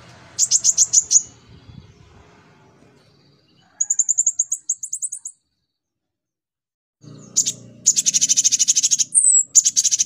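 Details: Konin singing as a lure recording for training a young kolibri ninja: high, rapid chattering trills in short bursts, a thin buzzy series, then a long dense rattling run with a sharp squeak, over faint low background noise.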